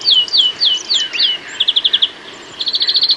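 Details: A UK garden European greenfinch sings five quick, high, downslurred notes, then two fast, even trills of about six and ten notes.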